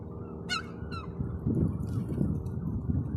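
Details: Gull calling in a way that draws pigeons. Two quick, harsh, downward-sliding calls in the first second, then only a loud low rumble and clattering background noise.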